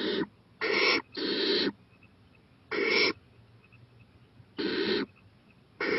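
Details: Owl calling at 11:26 pm on 4-23-18 while venturing to a porch; rasping, noisy hiss bursts, two close together, then single ones spaced one to two seconds apart, quiet between.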